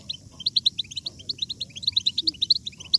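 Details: Batbata of a European goldfinch, a chatter meant to push other goldfinches into vigorous song: dense, quick, tinkling high chirps in uneven bursts over soft low background noise.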